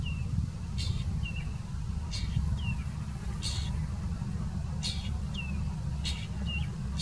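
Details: A long-tailed shrike (tricolor race), a strong mimic of Indian birds, sings and mimics: a short falling whistle, then a harsh scratchy burst, repeating about every second and a half over a heavy low rumble.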